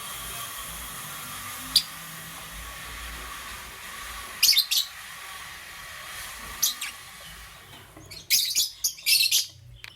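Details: Morning chirping from parblue euwing green opaline and green opaline lovebirds: isolated sharp high notes early, then a dense burst of rapid, shrill chirps near the end, with a faint constant hiss.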